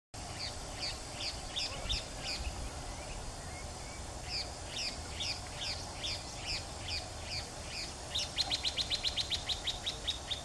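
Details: Wing-banded hornero: a series of sharp, high chirped notes repeated at a steady pace, ending in a fast, rapid trill. A steady background hiss runs throughout.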